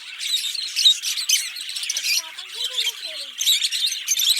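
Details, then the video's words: A green pair of Fischer's lovebirds singing and chirping: dense, harsh, high chattering with rapid squeaky notes throughout, while a faint, lower, gliding whistle-like tone drifts underneath midway. "Lovebird Singing & Chirping Sounds - Green Fischer Pair"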